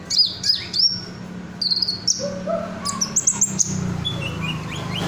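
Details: Singing red sunbird, kept cage bird in ngobra style used as a tutor, with repeated high slurred whistles, bright rising notes and a few lower chirps near the end, above a constant low hum.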